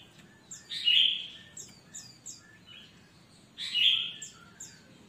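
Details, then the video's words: Kutilang emas bulbul in loud song, played as a master to encourage quiet newly bought cage birds; two loud, rich slurred notes several seconds apart, each surrounded by thin high chirps. "Burung kutilang Emas Gacor buat masteran burung bahan Ombyokan yang Malas Bunyi"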